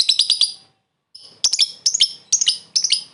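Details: Lovebird calling a rival for luring: a quick burst of high chattering notes, a pause, then five short harsh squeaky phrases in steady succession.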